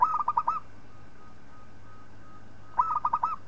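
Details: Singing local zebra dove, recorded as a tutor for other birds: two phrases of rapid, pulsing coo notes about two and a half seconds apart, each with five or six beats, over a steady faint hum.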